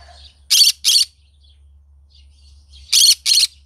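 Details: A green-cheeked conure in the morning gives two harsh, scratchy screeches close together, falls quiet for almost two seconds, then repeats an identical rasping pair, with a faint low hum behind.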